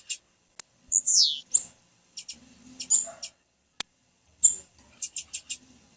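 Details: A female blue-black grassquit gives a call meant to stimulate males to sing before tournaments; it opens with a high buzzy descending slur, followed by scattered sharp high-pitched chips in short bursts.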